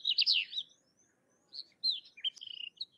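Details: Sykes's lark of India's dry open country: a loud burst of high tumbling chirps, then scattered whistled notes and a fast stuttering trill toward the end.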